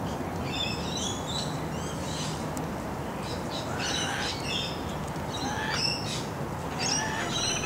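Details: Local laughing kookaburra family near adjacent bush, parent bringing shredded steak to its young; repeated rasping squawks and clipped high tonal notes in irregular clusters, roughly eight bursts, against constant outdoor hiss.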